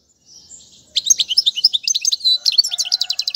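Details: European goldfinch song meant for teaching young birds. A soft thin note opens, then a burst of quick chirping, slurred whistles and short rattling trills follows, packed at roughly four notes per second; a faint low tone runs beneath the end.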